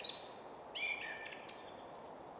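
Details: Song thrush singing from a spruce top in suburban Stockholm woodland, Sweden: a sharp loud note, then a short bright whistled phrase with sliding high notes, faint traffic hum underneath.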